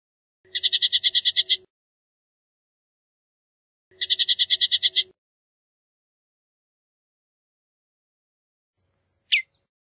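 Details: Bullock's oriole giving a harsh, buzzy rattle of about ten rapid pulses lasting just over a second, repeated after a two-second pause, then a single short sharp note; otherwise quiet background.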